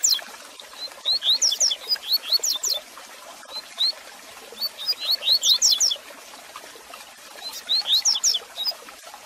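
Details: Double-collared seedeater singing, played to stimulate and teach a caged male: repeated phrases of quick, high, rising whistled notes, some notes sliding down, with short pauses between phrases and constant hiss.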